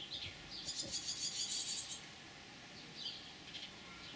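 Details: Hungry young swallows, just out of the nest in the crown of a lime tree at Dugo Selo, Croatia, 2017, waiting for parents to feed them: dense bursts of thin, high chirps, then quieter scattered cheeps.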